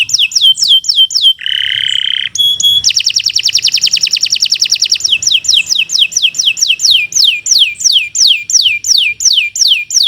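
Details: Canary, Indonesian Kenari, in long loud song meant as a master for training: falling whistles, a lower buzzy phrase, a long rapid trill, then slower descending sweeps repeated about every half second.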